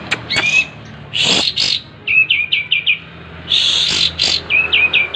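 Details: Breeding-condition kapas tembak with tail spread sings harsh, noisy bursts mixed with short runs of quick whistled notes, about four to five notes per run, repeated twice.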